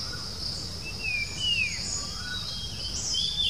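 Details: Puff-throated babbler calling on a Sunday outing at the outskirts of Bangalore, India, 07-06-2020, on a Nikon Coolpix B700: two faint, short descending whistles close together, set against a steady high insect buzz and soft background rumble.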